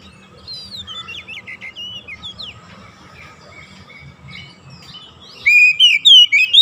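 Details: Oriental magpie-robin song played as therapy to get lazy birds singing nonstop: soft scattered high twittering, then from the fifth second a loud run of sharp whistled rising and falling notes, with a steady faint hum below.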